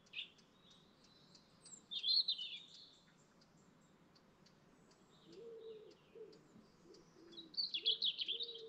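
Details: Dawn chorus beside a lake in the Lake District National Park; high twittering bursts from several birds come and go, while a lower cooing-like warble repeats in the second half.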